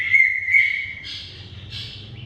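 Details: Greater green leafbird song for encouraging a reluctant singer: two high sharp whistled notes, then softer buzzy trailing sounds.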